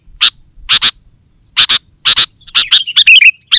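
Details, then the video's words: Sooty-headed bulbul in loud 'gacor' mode, used to call wild bulbuls: spaced pairs of harsh chirps, then a rising tumble of liquid whistled notes near the end. "Suara Burung KUTILANG GACOR, 100% Ampuh Bikin Burung Kutilang Lain Emosi dan Ikut Gacor"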